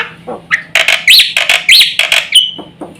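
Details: Black-winged myna song used as a lure to provoke other mynas into calling: loud harsh chattering bursts mixed with rising whistled notes, several quick phrases over a few seconds, with a faint low hum beneath.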